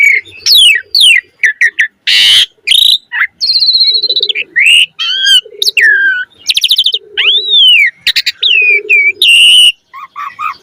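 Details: Black-collared starling delivering a long, loud fill-in song used to stir other starlings to sing. A dense medley of upslurred whistles, harsh buzzy bursts and an arched whistle, with short rapid notes throughout.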